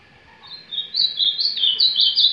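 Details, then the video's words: Ultramarine grosbeak warming up in surdina or carretilha style; after a quiet start the bird launches into quick, stepped, warbling notes that climb and fall in a tight rolling run. "Azulão cantando para esquentar"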